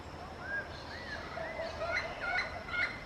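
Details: Yellow-fronted parrot calling to its peers: three soft arched whistles at first, then a quickening run of rough two-toned squawks, over low rumbling background.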